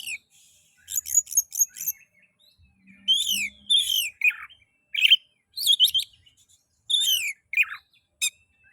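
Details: Oriental magpie-robin (kacer) song meant to stimulate other magpie-robins into singing: quick bursts of sharp chips alternating with rich slurred whistled phrases and harsh notes, delivered in irregular spurts with short gaps.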